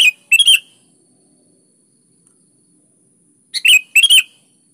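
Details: Kutilang, the sooty-headed bulbul, singing lively phrases meant to coax quiet birds to respond: a short bubbly burst, a pause of about three seconds, then two more rapid liquid chattering phrases.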